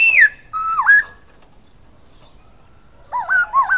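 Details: Silver-eared laughingthrush song: a falling whistle and a dipping, rising note open the phrase, then a pause, then a run of wavy, swinging whistles.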